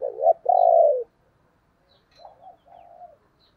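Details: A spotted dove kept as a decoy gives a loud two-part coo, a short note then a drawn-out falling one, followed by fainter, softer cooing notes a second later.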